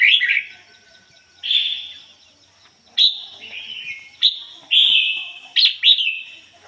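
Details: Caged red-whiskered bulbul used as a decoy, singing 'ngoi bổi' style in a pure, unmixed voice: loud whistled phrases starting high then dropping, delivered in short separated bursts of one to two notes.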